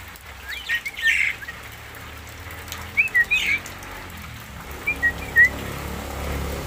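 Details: Javan myna giving various sounds: three clusters of short, sharp whistled chirps, each a quick rising and falling flick, spaced across several seconds over a steady hiss like rain.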